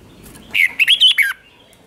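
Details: Red-whiskered bulbul kept as a cage bird, giving one short doubled-style phrase used to teach young birds: four quick, bright, slurred whistles in under a second, against a quiet background.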